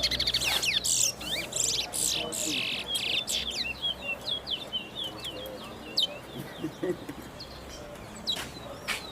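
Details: Brown Towa Towa in a competitive bird race at Sheriff Street bird ground, two caged birds contesting: bursts of high, sharp chirps and trills, uneven in rhythm, with a man talking nearby.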